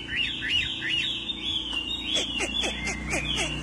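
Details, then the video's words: A wambi singing actively, a lively high song: a few arched, slurred whistles, then a fast run of sharp descending chirps repeated several times a second. "Burung wambi gacor - kicauan burung"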